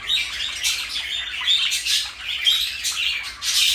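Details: Pet parakeet pair, blue and pale yellow, produce rapid buzzy chirps in bursts roughly every half second, a continuous bright warble.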